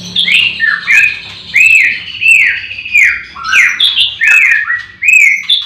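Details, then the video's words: Morning at a white-rumped shama breeding farm with all birds singing: arched, clear whistled notes repeated roughly every half second, mixed with quick chatter and higher chips. "Pancingan murai batu di kandang ternak ll chirping magpie"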